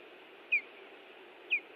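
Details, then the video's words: Nesting Ospreys in Hellgate Canyon, Missoula, Montana, June 18, 2017, calling in nest defence: two loud, sharp whistled notes sliding downward, exactly one second apart, over a steady rushing noise. "Hellgate Canyon Ospreys ~ Sounds of Iris and Louis Defending The Nest"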